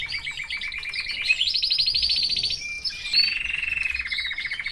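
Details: Canary in a cage with its family sings a varied phrase: choppy chirps, a bright fast trill, a brief pause, then a lower, steady rattling trill of rapid repeated notes.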